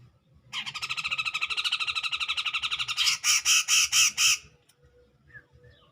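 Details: Provocative rival-baiting song of a grey-cheeked bulbul, 2021: a fast buzzy chatter of closely spaced pulses for two and a half seconds, shifting into five slower, louder rasping blasts.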